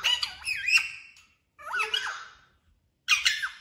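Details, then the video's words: Pet talking parrot known for saying "mummy papa"; three harsh, wavering squawks split by short silences, bright and high-pitched. "मम्मी पापा बोलने वाला तोता"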